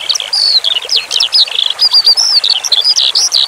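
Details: Eurasian skylark song for training cage birds: high, rapid warbling of short slurred whistles and chirps, delivered almost without a break, backed by gently flowing water.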